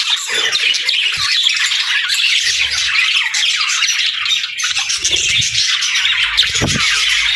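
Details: Cute budgies singing and chirping, a loud flock chatter of rapid, rasping squawks and twittering notes layered over one another, with a few soft low knocks in the background.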